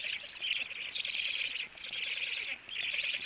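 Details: Black stork nest as the male returns and feeds; three long rasping, breathy high-pitched bursts with short quiet dips between them.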